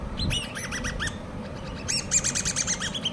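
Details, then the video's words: Common babblers, hand-reared chicks, giving sharp high chirps that sweep up and down in quick series, a brief gap, then a denser overlapping run of squeaky notes, low hum underneath. "COMMON BABBLERS( hand reared chicks )"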